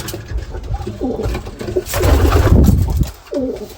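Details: Domestic pigeons inside a loft while the keeper chases them around the cage: low, rounded coos rise and fall in separate phrases, broken by a burst of loud flapping and scuffling in the middle.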